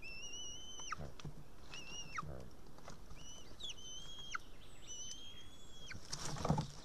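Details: A young female white-tailed eaglet in a nest in Estonia, 8 June 2018, around 6:54 pm, calls for a parent to feed her after failing to eat a fish. She gives about five thin, drawn-out whistles over low wind rumble.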